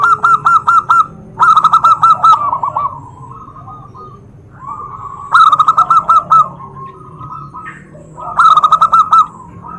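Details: Zebra dove calling so that other doves answer straight away. Four loud bursts of six or seven rapid, bouncy coos each come in close succession, while fainter doves keep cooing steadily in the background.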